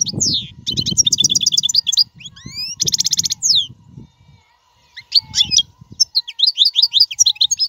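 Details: Goldfinch song for teaching caged fledglings: twittering bursts with rising slurs and a buzzy trill over low rumbling background noise, a quiet gap, then more bright chirping phrases.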